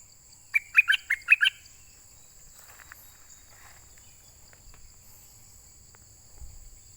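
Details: Pied fantail from southern Thailand calling for a mate: a quick burst of about six squeaky, chirped notes in a little over a second, then near quiet. A steady high insect-like whine runs throughout.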